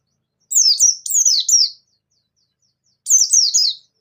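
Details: Bustomi white-eye giving its lure song to prompt other white-eyes to sing: a phrase of about five high slurred whistles, each dropping in pitch, then a pause and a similar four-note phrase, with no background sounds.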